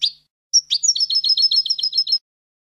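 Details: A European goldfinch gives a bright, tinkling twitter: a short high note, then a fast string of about a dozen liquid, jingling notes in under two seconds, offered as tutor song for young goldfinches. No other sounds.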